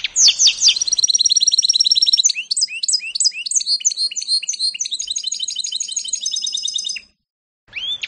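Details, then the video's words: Hybrid of canary and goldfinch, 2018, singing an unbroken seven-second stream of rapid twittering and slurred notes, then a pause and a fresh rising note. "-ΚΑΡΔΕΡΙΝΟΚΑΝΑΡΟ- (canary-Goldfinch mule 2018)"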